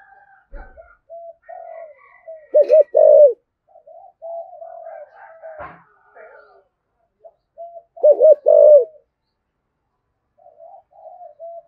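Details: Spotted dove with a 'thúc gù' driving coo used as a lure for rivals: soft low coos spread out, two louder stuttering coo bursts, and a sharp click midway.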